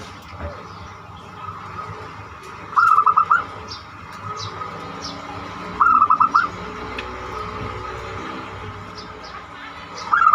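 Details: Zebra dove in the banyumili song style, meant as a lure for other singers; two clear bursts of rapid pulsed coos about three seconds apart, then a third begins, with a soft steady hum behind.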